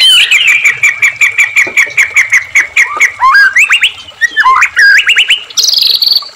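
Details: Provocation song of a white-rumped shama for captive shamas: a fast steady series of repeated chip notes, then rising whistled slurs and a closing high buzzy trill.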